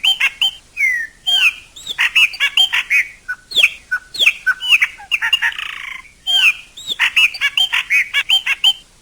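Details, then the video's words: A chopi blackbird sings in nature: dense bursts of loud whistled notes, clicks and quick slurs, with a brief rasping section near the middle and short pauses between phrases. "CANTO DO PÁSSARO PRETO CHOPIM NA NATUREZA"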